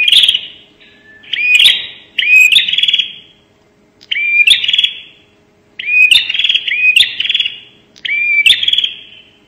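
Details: Bar-winged prinia, 'nembak' call type used as a lure: repeated phrases of short rising whistles run into harsh buzzy trills with sharp clicks. Four bursts, with quiet gaps between them.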